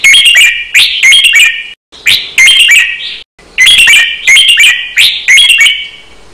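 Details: A red-whiskered bulbul in a training recording sings fast counted, doubled notes: loud, bright whistled phrases in three bursts, each a quick run of bubbling notes with short pauses between.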